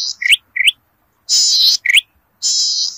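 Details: A zitting cisticola in rice paddies gives sharp, upswept high notes alternating with longer thin, buzzy high phrases, several in three seconds, against a quiet background.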